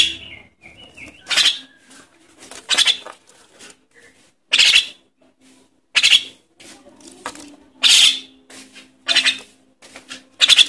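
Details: Repeated begging from a Javan myna chick, used to attract adults: a long series of scratchy, rasping bursts, some doubled, coming every one to two seconds, with faint low hum and small clicks.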